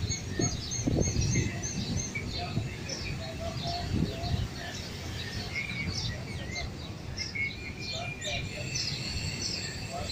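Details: Fighting bulbuls give a busy scatter of short, bright chirps and slurred whistles, overlapping at a quick pace, over low rumbling background noise and some voices.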